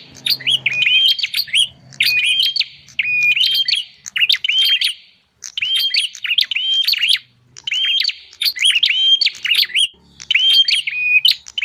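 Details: Lure recording of bar-winged prinia: bursts of quick whistled notes with upward-hooked endings and crisp ticks, grouped in phrases about a second long, separated by short gaps; faint low rumble early on.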